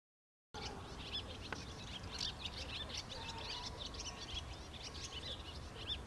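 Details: Barn swallows calling: a stream of quick, high chirps and twitters, with several short notes overlapping, over a low background rumble.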